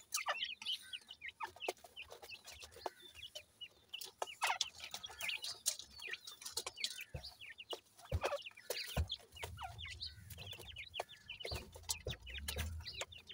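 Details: A group of grey francolin chicks feeding and playing makes a dense, overlapping chorus of high, slurred cheeps, broken by sharp clicks and pecking taps, with a low rumble now and then.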